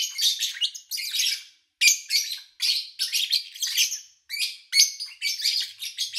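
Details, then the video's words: Pet lovebirds recorded in August 2019 with little background noise: rapid bursts of shrill, rasping chirps in quick succession, broken by a couple of short silences. "Sounds of Lovebird Chirping"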